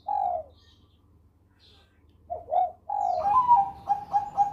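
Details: Zebra dove of the Bangkok strain singing in the cengkok Susi Susanti style: a soft low coo, a pause, then a quick double coo leading into a rolling, bubbling series of mellow cooing notes.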